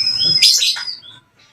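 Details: White-rumped shama song played as a lure to make other shamas answer and sing, and to stir their aggression and breeding mood; a brief burst of high, sharp chirps with a quick falling sweep, fading after about a second.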